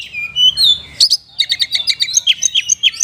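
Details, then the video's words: Oriental magpie-robin singing a kapas tembak-style song fill: a long rising whistled phrase, then a fast run of sharp chirping notes repeated roughly five times a second, high-pitched and bright. "ISIAN KACER PALING BERBAHAYA HOT 🔴 KACER RASA KAPAS TEMBAK ORIGINAL SOUND"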